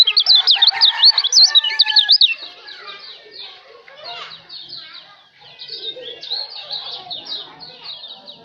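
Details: Lombok white-eye (kecial lombok) song for a songbird training recording: about two seconds of fast, high, zigzagging twitters, then a fainter jumble of chirps and calls in the background.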